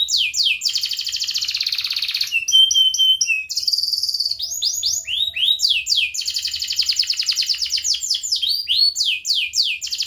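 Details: Vocal gacor canary pouring out song meant to push rivals and coax juvenile or lazy canaries into singing: long buzzy rolls, steady whistled tones, and repeated sharp downward-swept notes in quick, dense series.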